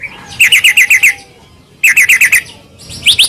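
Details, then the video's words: White-rumped shama masteran to make other shamas sing: two short bursts of six quick chirped notes each, separated by a pause, ending in a few high rising whistles. "masteran burung murai mewah"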